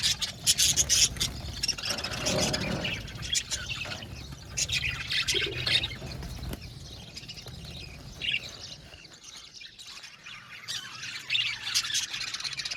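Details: Australian budgerigar colony in an aviary, a long stretch of overlapping chirps, squeaky squawks and warbles, loud and crowded early on, thinning to scattered tweets, then picking up again near the end.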